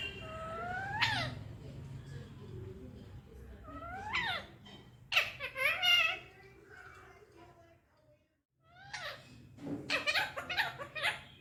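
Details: Talking Indian ringneck parakeet indoors: mimicked speech-like phrases with harmonic, falling-then-rising contours, spaced in short bursts with a quiet pause near the end.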